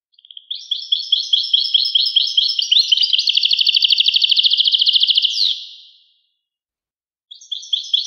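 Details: European goldfinch singing: a run of repeated high twittering notes rolls into a fast, dense buzzy trill lasting about two seconds, then breaks off; after a pause the twitter starts again. Clean, quiet background.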